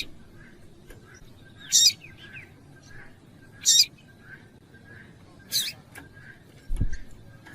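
A female Double-collared Seedeater gives sharp, high chips about every two seconds, with faint softer notes between and a brief low thump near the end.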